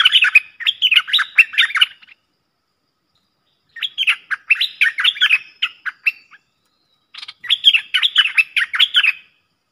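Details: Pair of streak-eared bulbuls dueling in song on 30/10/2021, a luring recording: three bursts of rapid, jumbled, warbling notes, each about two seconds long and separated by silent gaps.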